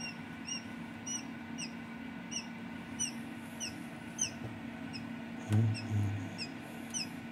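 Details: Newly hatching quail chicks peeping in a home incubation, a rapid series of faint high falling chirps, over a constant machine hum with a couple of soft low thumps.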